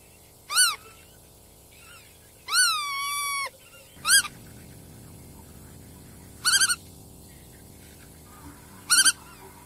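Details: Black-tailed godwit giving a series of short pulsed nasal calls and one longer, downward-bending drawn-out note, roughly five calls at uneven intervals, against continuous low rumble and hiss.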